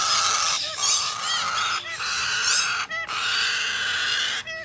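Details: Major Mitchell's cockatoo chick begging: continuous harsh hissing rasp broken by brief gaps, with a few short breathy notes between calls.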